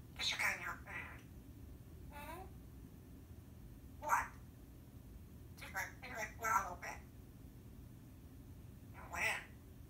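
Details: Timneh African grey parrot talking: short, scattered speech-like bursts with wavering, harmonic tones and brief chirps, separated by pauses of one to three seconds, with a low background hum.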